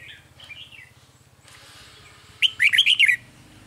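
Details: On 9 March 2020 at a trap, soft warbling from a Red-whiskered bulbul is followed by a loud, fast phrase of rich whistled notes, with a steady low mechanical hum underneath.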